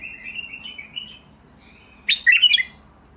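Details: A Basra bulbul sings a smooth, wavering whistled strand, pauses briefly, then delivers a short, loud cluster of bright, bubbling notes.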